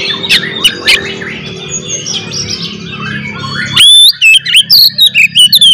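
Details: Oriental magpie-robin fighting song meant to rile other magpie-robins; murmured warbling with a low background hum gives way to loud rising whistles and rapid, sharp clipped notes.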